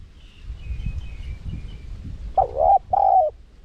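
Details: Spotted dove call used to lure wild doves: after quiet background with a faint high twitter from another bird, one phrase of a wavering coo followed by a longer steady coo.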